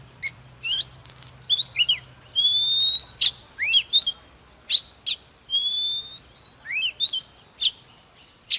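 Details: Wild-caught adult white-rumped shama singing while displaying in a fired-up state: clear whistled notes, some long and level, others sharply rising or dropping, broken by short sharp chips. Phrases come in quick, varied bursts with brief pauses between them.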